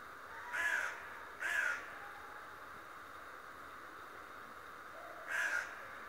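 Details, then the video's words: Raven, described as a talking raven, giving three harsh, short caws with a pause after the second, over a steady background hiss. "Der sprechende Rabe der mich täglich ausspioniert. The talking raven that spies on you every day."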